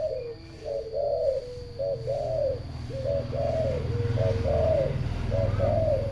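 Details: Turtle dove singing: low purring coos, each a short note followed by a longer rolling one, repeated roughly every second, with a faint steady high tone and low background rumble.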